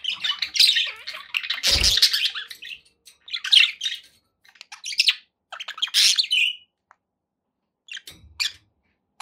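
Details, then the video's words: Pet budgies give clear tweets and warbling chirps in short bursts that thin out toward the end, with one brief dull thump early on. "9 hours of budgie sounds to keep your pets in happy bird company"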